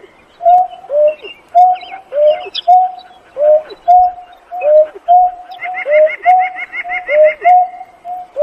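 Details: Painted-snipe gives its flock-gathering call, a steady run of low hollow notes in which a level tone alternates with a drooping one, roughly once a second. Higher twittering from other birds joins partway through.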